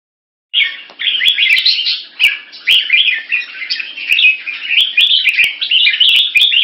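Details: Caged Red-whiskered Bulbul kept in Singapore, using short keke calls and tail slashing to test an opponent: dense, fast chattering phrases, bright and warbled, running almost without pause, with sharp clicks scattered throughout.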